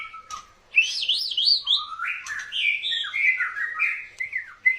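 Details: Courting-style song of a White-rumped shama: after a soft opening note, a fast stream of looping, zigzagging whistles that climb high and then step down through rich warbled phrases, ending on sharp high notes.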